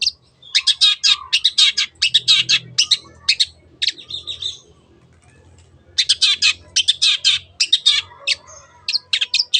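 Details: Long-tailed shrike lure song to make other birds sing: fast harsh chattering notes for about three seconds, a quieter stretch with faint low hum, then another burst of rasping high notes.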